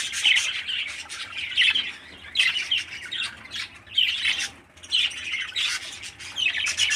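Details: A healthy 13-day-old baby parakeet gives raspy, buzzy, high scratchy chirps in bursts about every second, with faint background rustling.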